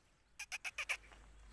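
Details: Black francolin (kala teetar) giving a brief burst of five rasping, broadband notes in quick succession. The notes are evenly spaced and slightly louder toward the end, then fade into faint background hiss.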